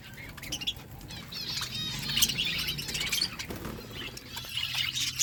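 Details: Budgerigars in a flock eating food, making softer wavering chirps and rippling warbles that overlap continuously over a low background hum.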